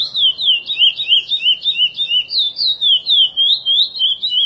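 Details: Curió song in the praia style, a chestnut-bellied seed finch edited for encarte use: loud, clear, high whistled notes looping and wavering in a steady rhythm of about three to four per second.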